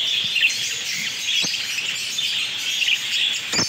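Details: Home-bred captive African lovebird chicks during breeding, giving a dense, continuous high chirping chatter with a few sharper clicks or taps standing out near the start and end.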